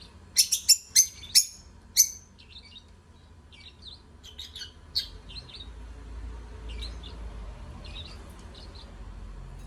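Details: Lovebirds singing: a quick burst of sharp, high chirps in the first two seconds, then scattered softer twittering notes, fading into a steady low hum.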